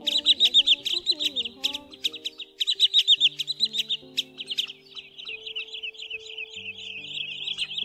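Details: Wood sandpiper lure for night netting of migrating birds, October 2020 version: dense runs of rapid high chipping notes, a fainter chattering stretch later, with low steady and sliding tones beneath.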